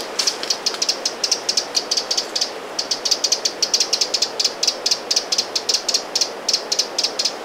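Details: Eurasian wren at Lake Vänern in Sweden, late July 2017, sounding its alarm: a fast, nearly continuous series of hard clicking ticks, several per second, with a short break midway.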